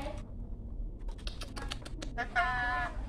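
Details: A talking Javan myna, repeatedly saying "Assalamualaikum" and "Jokowi," gives a half-second, voice-like spoken word after a run of dry, rapid clicking taps over a low background rumble.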